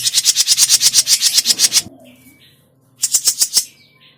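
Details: Trapping lure of grey-cheeked bulbul: a dense run of harsh, rattling buzz notes lasting almost two seconds, a short pause with a soft thin whistle, then a shorter burst of the same scratchy chatter.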